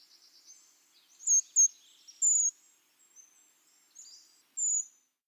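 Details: A Brown Creeper (Certhia americana) gives very high, thin, sibilant notes: four or five sharp seee calls spaced irregularly over a few seconds, with faint softer high notes between them.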